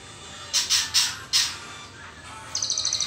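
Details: Juvenile white-rumped shama in its trotol stage, before the pastol stage: four harsh, high buzzy bursts in the first second and a half, a pause, then a fast rattling series of short, evenly spaced high ticks.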